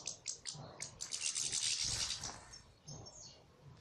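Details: Salaka-style European goldfinch song: a few sharp separate chirps open into a dense, scratchy, buzzing twitter held for about a second, then thinner notes trail off.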